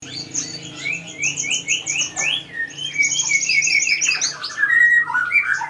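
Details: Kolibri ninja (a sunbird) singing vigorously with a full repertoire: rapid, high twittering and chirping phrases with quick rising slurred notes, dense and nearly continuous, with a low hum underneath.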